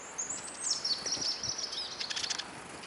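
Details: Eurasian siskin among many hungry birds at a feeder in Kolmården, Sweden, Sony A99 camera on the ground below: a clear thin, high, drawn-out note sliding gently downward, then a burst of quick high chirps.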